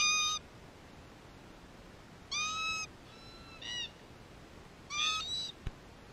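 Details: ['Several wild red-tailed black cockatoos in Australia, gathered around a spy camera they are pulling apart, trade ringing, metallic, harmonic calls in irregular bursts, some doubled, with a sharp knock near the end.']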